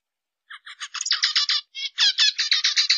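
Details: Zebra finch phrase opening with soft spaced nasal notes that build into loud, rapid buzzy syllables, a short break, then another fast train of harsh stacked notes.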